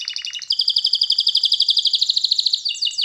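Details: Canary song for training: quick doubled high pulses, then a very fast, even rolling trill, finishing with brisk downward slurs.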